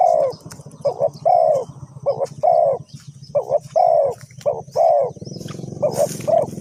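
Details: Decoy spotted dove in a bird-trapping setup in Ninh Thuận, Vietnam, giving repeated soft hoarse cooing phrases of two to three notes with short pauses, over a steady low rumble and a brief higher hiss near the end.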